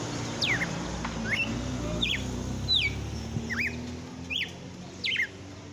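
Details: Red-cowled cardinal singing at the end of a pleasant afternoon, a series of sharp whistled notes sliding down or looping up, roughly one per second, with a soft low hum underneath.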